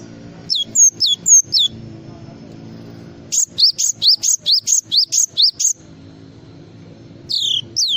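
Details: Java sparrow in full song, with a long rapid series of about ten high falling chirps after a shorter opening group, while low steady noise runs beneath.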